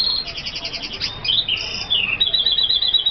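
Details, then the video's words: F1 red siskin (kaputzensijs) sings a fast, high twittering song: a quick buzzy trill of repeated notes, then thin whistles and chattery slurred phrases. "sound of the kaputzensijs birds"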